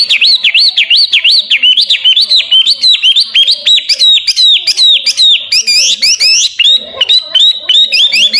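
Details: Hwamei (wambi) pouring out a loud, varied song for training champion songbirds: rapid repeated swooping whistles, each rising and dipping, continuing steadily with brief harsher, buzzy bursts in the middle.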